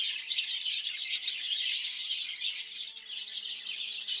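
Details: Caged breeding budgerigars giving busy, overlapping warbles and squeaky chirps throughout, with a faint steady low hum running underneath.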